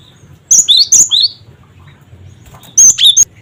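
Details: Cinereous tit giving lure calls meant to get other birds calling: two quick bursts of shrill, high, slurred whistled notes, the first of four notes, the second shorter, with faint hum between.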